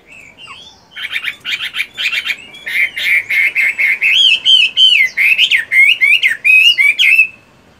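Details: Caged fighting Chinese hwamei, moulting, in morning voice practice: a soft opening note, then a burst of scratchy chattering notes building into a loud, rhythmic series of bright, wavering whistles.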